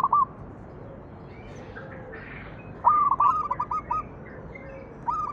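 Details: A zebra dove sings its manggung lure song: a short coo opens, then a bright phrase of stepped cooing notes breaking into rapid staccato beats, and another coo starts at the close, with constant background hiss.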